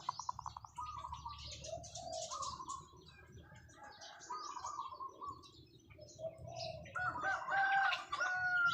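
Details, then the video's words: Decoy zebra dove delivering long drawn-out cooing calls: purring, rolling coos in repeated bursts, with a bright trill near the end, over a busy chorus of high chirping birds and low background rumble. "เสียงนกเขาชวาต่อ ออดยาวๆ"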